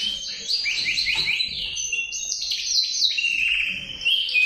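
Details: Singing male canary delivering rapid descending trill phrases followed by a drawn-out high whistle and buzzy rolling notes, all packed tightly without pause.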